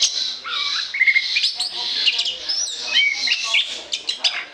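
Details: Orange-headed thrush song for use as a lure: rich, fast warbling with whistled slurs and scratchy twitters, flowing almost without pause.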